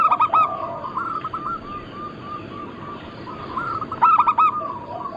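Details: Zebra dove of local stock, recorded as a lure, with a short burst of cooing notes at the start and another near four seconds, and faint soft coos in between over constant hiss.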